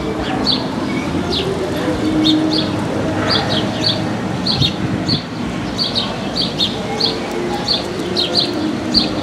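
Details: House sparrows living in the city streets and squares of Paramirim, Brazil: a steady series of short, sharp chirps repeated every half second or so over a heavy bed of urban background noise.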